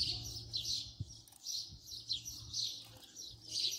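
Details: House sparrow at close range uttering a loose run of sharp chirps, roughly two per second, with a few soft thumps and a low hum beneath.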